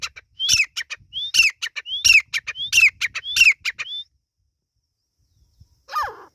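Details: Partridge chick calls: five quick phrases, each a thin rising whistle followed by harsh, descending chattering notes, repeated about every 0.7 seconds. After a pause, one lower, falling squawk ends the sequence.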